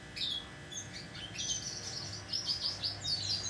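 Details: Hand-tame Pacific parrotlet, recorded 26 November 2021, giving high thin chirps and short twittering notes, a quick burst early on, then a busier run of sharp tweets in the second half over a low steady hum.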